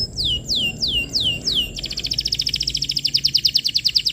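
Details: Canary in full lure song for tutoring young birds: four loud, evenly spaced down-sweeping whistles, then a rapid metallic trill of clipped notes that speeds up and grows louder to the end.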